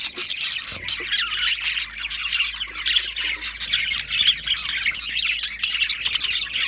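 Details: Budgerigars warble constantly, mixing chirps, squeaks and harsh squawks into a steady, high-pitched babble with a faint low hum beneath.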